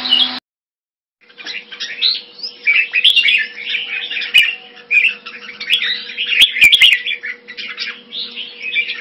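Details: Thai-style caged red-whiskered bulbul in Singapore, February 2018. After a short cut, a long, unbroken, rambling warble of sweet, quick whistles follows, with occasional clicks and a constant low hum.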